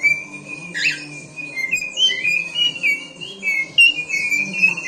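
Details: Seven-year-old male cockatiel singing: a string of clear warbling whistles, steady and wavering, with occasional jumps in pitch and a brief squawk early on.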